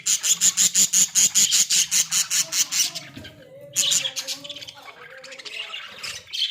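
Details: Australian budgies kept in a small cage as pets: a rapid, steady series of around twenty loud, high chirps, then a softer, rolling warbled chatter with gliding notes.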